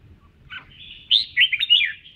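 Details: Red-whiskered bulbul singing while dancing, part of voice training: a short burst of bright, warbled notes sliding between middle and high pitch, loudest near the end, with faint low rumble beneath.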